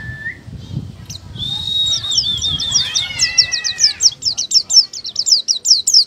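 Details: Oriental white-eye, a caged songbird, singing with its beak open: a brief rising whistle, then a long run of high, rapid, slurred chirps that grow into fast repeated twittering notes, with faint low background noise.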